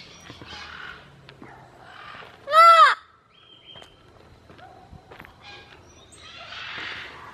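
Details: One loud, rasping, rising-and-falling shriek from a parrot living at a rescue sanctuary, surrounded by soft clicks, rustles and distant murmuring.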